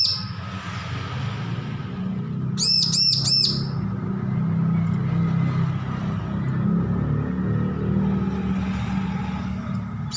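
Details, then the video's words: Just-weaned bar-winged prinia practising song produces one brief burst of four fast, high arched chirps. Heavy low rumbling noise continues for the rest of the recording. "Ciblek lepas loloh belajar bunyi full masteran"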